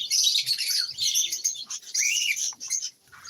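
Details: Home-kept lovebirds produce a stream of shrill, scratchy chirps and squeaks, several birds calling over one another, with one rising whistled note near the middle.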